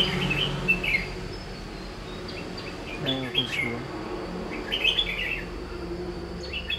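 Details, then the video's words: A red-whiskered bulbul during trapping with a lure bird gives bright, chirpy whistled phrases in short bursts, with a man's brief voice in the middle. "Bẫy chào mào Đã cánh lại còn ché thì ai chịu được"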